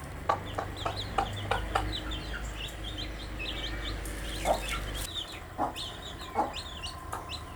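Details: Newly hatched chicks keep up constant high-pitched peeping, with regular tapping knocks; a steady low mechanical hum runs through the first five seconds, then stops.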